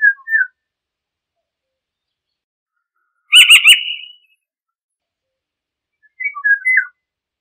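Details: Eurasian golden oriole: mellow whistled fluty phrases open and close the stretch, while in the middle a harsher, buzzy, rapidly repeated chattering burst rises higher, each phrase separated by silence.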